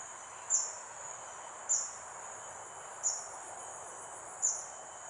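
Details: Blue-eared kingfisher (Alcedo meninting), a rare resident in Singapore, giving its loud call: four thin, very high, sharp notes about one a second over a steady high insect hum.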